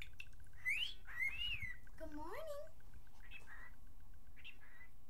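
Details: Talking pet cockatiel that says good morning and pretty bird: rising and falling whistled phrases with a wavering, speech-like middle section, then softer chatter, over low room hum.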